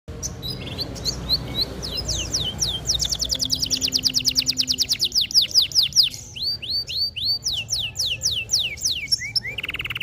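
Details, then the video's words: Dark-coloured local canary in full song, a fast varied series of high chirps and rising swept notes, then a long rapid trill of repeated downward strokes and a final buzzy burst; low background hum. "kenari gacor lokal warna gelap"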